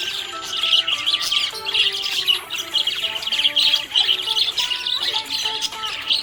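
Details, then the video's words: Budgie described as happy, keeping up busy chirping chatter of harsh squeaks and trills, layered over a melody of held music notes. "Happy budgie chirping sound"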